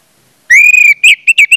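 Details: Orange-headed thrush singing as a lure to get other orange-headed thrushes singing: one long, clear, level whistle, then three short, bright whistled notes in quick succession.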